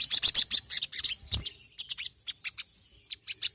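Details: Sogon, a sunbird kept by hobbyists, in a lure recording: dense, rapid high twittering that breaks into separate sharp chirps, with a brief low thud near the middle.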